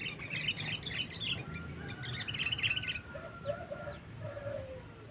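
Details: Sooty-headed bulbul calls used as a lure to attract wild birds: bright, chattering chirps in quick clusters, with lower whistled notes later and a steady low rumble behind.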